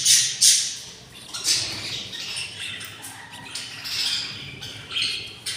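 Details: Hungry budgerigar chicks, six in one nest at day 24, making rough wheezy begging squawks in irregular bursts, loudest at the start and near the end.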